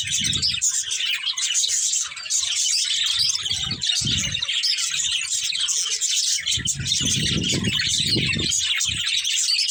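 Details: Budgerigar breeding pair keeping up constant high chirps and squawky chatter, accompanied by several low rumbling bumps and rustles.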